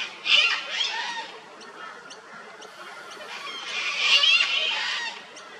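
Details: Sulphur-crested cockatoo, a native Australian parrot, on a dead tree trunk chewing bark and seeking honey. Two moderately loud raspy screeches with soft ticking sounds between them.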